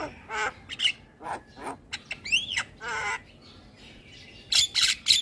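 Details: Javan myna song for luring and therapy of moulting mynas: scattered harsh buzzy notes, a rising whistled slur near the middle, then a cluster of sharp high chattering bursts at the end.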